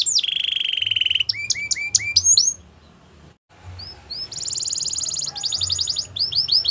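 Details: Singing Belgian canary gives a steady buzzy trill, then clipped upward-hooked whistles, falls silent for about a second, and resumes with rising slurs and a bright rapid high-pitched roll.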